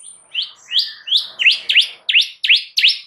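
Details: White-rumped shama lure song meant to draw answers from other shamas: a quick series of sharp, upswept whistled notes repeated about three times a second, growing louder.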